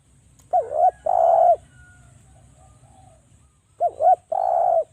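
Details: Javanese spotted dove lure call to trigger calling in other doves. Two phrases, each a stuttered double coo followed by a long steady coo, spaced about three seconds apart.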